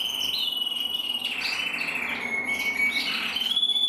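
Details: Red-black canary cocks, one intensive, one frosted, singing together in long, smooth whistled tones that glide slowly downward and then rise, with faint higher chirps over them.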